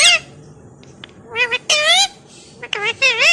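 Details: Pet rose-ringed parakeet calling while playing indoors: loud, harsh squawks with stacked rising-falling tones, given in short bursts of two or three separated by pauses, with quieter clicks between.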